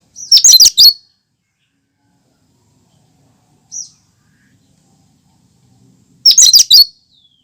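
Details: Cucak kinoi singing its own natural song with no mimicked fills, kept for prompting and luring other birds: two loud bursts of four rapid, high, chattering notes about six seconds apart, with one short high note between them.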